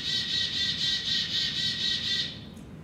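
A Black-capped Chickadee gives a long string of harsh, buzzy 'dee' notes, about four per second for two seconds, before falling quiet.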